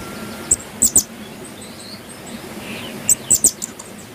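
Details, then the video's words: Pin-tailed parrotfinches singing, bathing and eating: very high, thin chirps come in two short bursts of three notes each, one near the start and one near the end, over a steady low hiss. "Pin-tailed Parrotfinches Singing"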